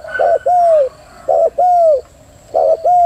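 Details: Female spotted dove cooing, loud close phrases: a short stuttered note then a longer smooth falling coo, repeated three times in about three seconds, with faint high hiss behind.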